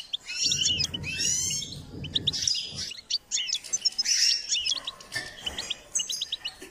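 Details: Goldfinch in song training, pouring out a rapid tinkling twitter of high, sharp chirps and short buzzy trills in quick bursts, with a low rumbling murmur underneath.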